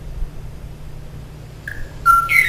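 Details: Last surviving male Kauai O'o from the Alakai Swamp, singing and waiting for a female's answer that never came. After a quiet stretch, a few clear, pure whistled notes sound at steady pitches, the last ones louder, over a low background hum.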